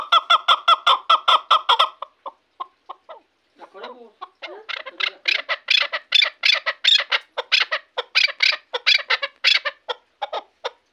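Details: Shahritus chukar partridge, a hunting bird from Tajikistan: a rapid, even string of ringing clucks, a brief pause with scattered notes, then another long, loud, accelerating chuck series.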